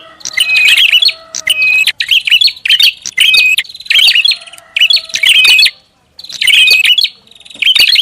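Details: Prinia in a recording used as a bird lure. Bursts of sharp, chattering chirps mixed with short level whistles repeat in quick phrases, broken by brief silences.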